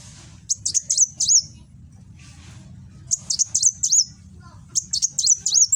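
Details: Sunbird, locally called kolibri wulung, singing in the rapid 'nembak' style in Gresik, East Java, recorded on an Android phone; the bird raises its tail, ready to fight. Three bursts of thin, very high, sharp notes, about four each, over a low hum.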